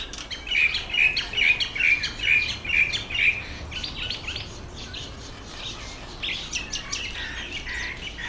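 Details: Red bishop during the October–November breeding season, males conspicuous near reeds over water: a quick run of about eight sharp, evenly repeated chirps, then a looser hissing, buzzy chatter from several birds.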